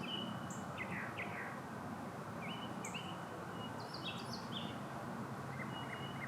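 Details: Northern mockingbird singing in the background at a canal in Florida, with other birds also singing while manatees eat mangrove leaves; short high whistled and chirping phrases, some rising or falling, scattered over a steady low rumble of water and wind.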